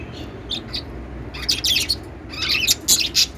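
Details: Lovebirds singing and chirping in a lively burst: rapid, overlapping high squeaky notes, several per second, growing denser toward the end, over a low hum.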